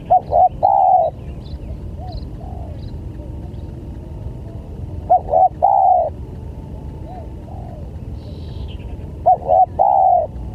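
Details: Lure call of a spotted dove for drawing in other doves, three loud cooing phrases spaced about four seconds apart, each short clipped notes followed by a long steady coo, softer distant coos and a brief chirp between.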